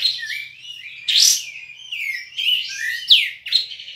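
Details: Kapas tembak, known in English as Olive-winged bulbul, a contest bird from Singkawang, West Kalimantan. It sings slurred whistled phrases with a bright rising note and a sharp downward sweep, ending in buzzy notes over a faint low hum.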